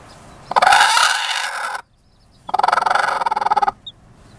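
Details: A broody Buff Orpington hen, sitting on six fertile eggs in summer, growls and hisses at the camera: two harsh, raspy outbursts about a second each, the second a fast rattling growl.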